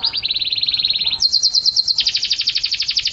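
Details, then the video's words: Canary in energetic song for training pet songbirds: continuous rolling trills of rapidly repeated notes, one pitch held for about a second, then switching abruptly to a higher, faster rolling trill. "Suara Burung Kenari | Gacor"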